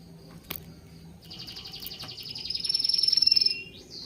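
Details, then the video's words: Quiet bird chirping. After a sharp click, a high rapid trill swells, peaks loudly and fades, and a short rising note follows. "The sound of birds chirping soothes the soul"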